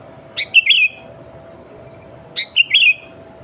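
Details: Sooty-headed bulbul (kutilang) song played to call rival and wild bulbuls: two identical phrases about two seconds apart, each a sharp note followed by two rolling, bubbly whistles.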